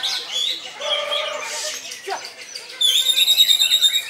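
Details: Greater green leafbird (cucak ijo) in koncer song: mixed whistled and chattering notes at first, then a loud burst of rapid, high, sharply repeated notes at about three per second.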